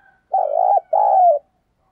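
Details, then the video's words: Two soft, hollow coos from a spotted dove, part of thúc gù and gáy gọi calling to lure wild doves. The second coo is longer and slides gently downward, and the background is still. "tiếng cu gáy thúc gù và gáy gọi dùng kích bổi"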